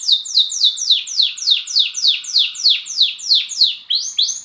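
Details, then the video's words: Pet male Border canary repeating a high, falling note in a steady rhythm, roughly twice a second, before changing to two rising whistles at the end. "Border Canary Singing"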